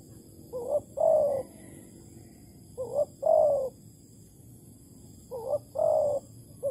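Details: Spotted dove (Malaysian tekukur) at a bird trap using an uncovered decoy bird, Malaysia, 11 August 2020: three mellow coo phrases, each a short rising note then a longer falling one, about every two and a half seconds.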